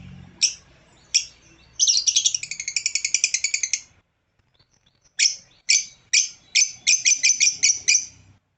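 An African lovebird gives sharp, shrill chirps, single notes at first, then quick rattling bursts of a dozen rapid notes, with a short pause midway.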